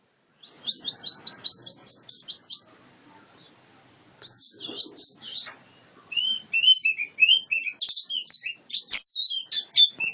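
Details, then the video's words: Song of a wild-caught white-eye: fast, very high buzzy chirp trills, then a pause and a renewed burst of sharp twittering notes and squeaky warbles, with light handling noise. "Burung pleci ngalas"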